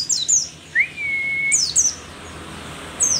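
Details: Old mountain white-eye, a rare Merapi endemic, singing hard: high thin chirps sliding downward, a long level whistle that rises at its start, then more clusters of sharp falling high notes. Quiet hiss behind.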